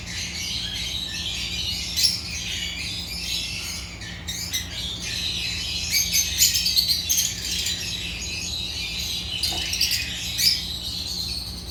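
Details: Agapornis lovebirds, the African lovebirds, chirping together: long stretch of busy, high-pitched twittering and squeaks, with brief lulls and sudden louder bursts, over faint low hum.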